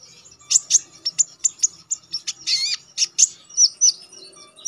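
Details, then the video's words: Konin songbird chattering constantly with sharp notes as a training song for contest birds: spaced loud high chips, one longer warbled trill in the middle, then paired downslurred whistles. "Konin damer gacor ngalas nembak tajam"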